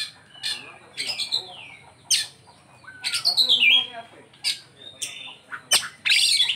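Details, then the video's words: Oriental magpie-robin (kacer) giving scattered isian phrases: short sharp chips and whistles separated by quiet gaps, one longer descending warbled slur in the middle, ending in a bright trill. "Ini Die Burung Kacer Isian nya Super mewah"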